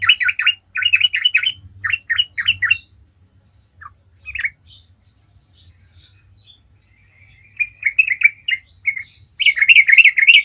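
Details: Trucukan, the yellow-vented bulbul, in energetic 'gacor ngalas' song meant to provoke silent birds into singing: quick runs of bubbly repeated notes, a gap with scattered chirps, then a loud rising chatter at the end.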